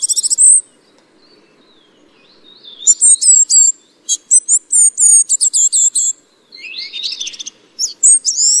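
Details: A ferruginous flycatcher (Muscicapa ferruginea) giving very high, thin, rapid chittering notes in short bursts, with a sharp opening phrase and a busier run in the middle.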